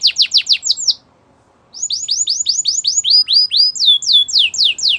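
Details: Belgian canary singing quick high downslurred notes, a short pause, then longer runs of rhythmic swooping phrases changing in pitch.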